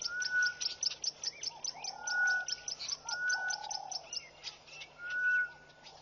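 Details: Grey-headed bushshrike singing in the early morning at Pete's Pond, Mashatu Game Reserve, Botswana, on February 4, 2014: long, level, mournful whistles about every second and a half over a dense chorus of high clicking frogs.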